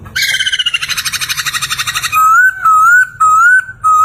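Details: Poksay song meant as a master recording for songbirds: a two-second buzzy, pulsing rattle, then four loud, sustained whistles that rise gently at the end, separated by short pauses.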